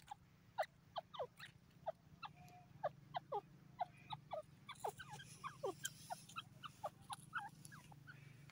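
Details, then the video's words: Francolin, known locally as Irani or dakhni teetar, calling in a dense series of sharp, downward-slurred notes that start sparse and then come thick and overlapping from about five seconds on, over a steady low hum. "beautiful irani teeter ki awaaz dakhni teetar sounds"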